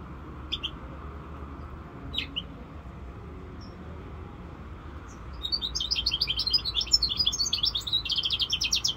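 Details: Five-month-old goldfinch mule hybrid gives a few isolated chirps, then a sustained rapid twittering song of repeated high notes in the last seconds.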